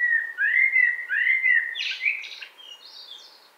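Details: Common blackbird singing, recorded in 2018 near Wittlich: low, mellow fluted whistles rising and falling in smooth arcs, followed by a brief burst of higher, scratchy twittering that fades out.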